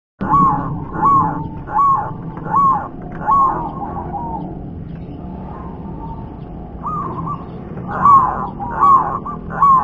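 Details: Local wild-type zebra dove singing in the WER-KE-TE-PEK style, a series of soft, bubbling cooing phrases repeated about every 0.7 seconds, pausing midway, then resuming near the end over a low background rumble.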